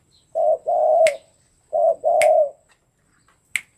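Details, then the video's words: Tame spotted dove being readied for a song contest; low mellow two-part coo, a short note then a longer drawn-out one, given twice about 1.8 seconds apart, each followed by a sharp click. "SUARA BURUNG Tekukur jinak !MAU IKUT KONTES"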